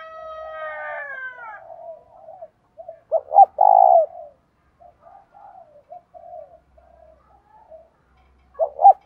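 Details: Decoy spotted dove calling to stir wild males, 'thổ' voice. Opens with a bright, falling, multi-toned call from another bird. Then a strong low coo phrase and scattered quieter hollow coos, with one more coo at the end.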